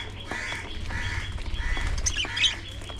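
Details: Budgerigars during early morning feeding: repeated nasal, harmonic squawks about every half second, then a sharper high chirp near the end, against a constant low hum.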